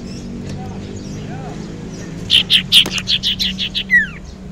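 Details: Young wild common iora, kept as a lure bird, delivering a rapid series of about nine chirping notes that ends in a falling whistle, over a steady low hum.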